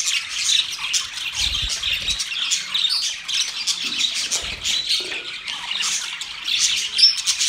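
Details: Budgerigars during mating, singing and chirping: a dense, continuous scratchy warble of overlapping chirps and squawky notes, with several birds chattering at once and no pause.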